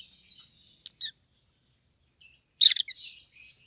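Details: Pet rosy-faced lovebirds, one yellow and one green: soft warbling twitter, a couple of short chirps, then one loud grating shriek followed by quieter trailing notes.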